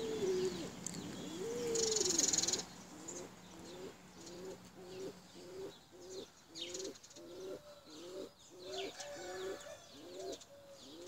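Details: A flock of tumbler pigeons: a brief noisy burst opens, then short, low coo notes follow in a quick, even series of roughly three to four per second. Faint chirps of small birds come through behind.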